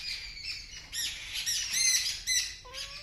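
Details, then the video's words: Several birds scream loudly at a kitten that has seen them: harsh, high squawking and chattering bursts overlapping in a noisy flock, with a brief rising tonal whine near the end. "The Birds Are Screaming Loudly"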